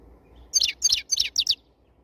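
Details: A black-headed European goldfinch (Carduelis carduelis) after moulting sings four quick bursts of high, tinkling twitters, each lasting a fraction of a second, against an otherwise quiet background.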